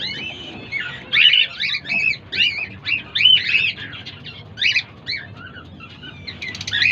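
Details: Five-day-old cockatiel chicks give a run of thin, raspy chirps, several voices overlapping in quick bursts.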